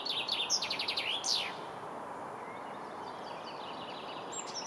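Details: Common chaffinch in Kurkimäki, Helsinki, Finland, on 7 May 2021 delivers a quick descending trill of repeated chipping notes ending in an emphatic downslurred flourish, followed by quiet, faint high bird calls and low ambient hum.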